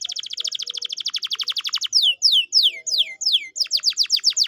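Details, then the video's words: Canary song used as a lure for a lazy singer: rapid rattling trill of falling notes, then slower descending whistled sweeps and renewed quick sweeps. "pancingan kenari malas bunyi/agar gacor lagi"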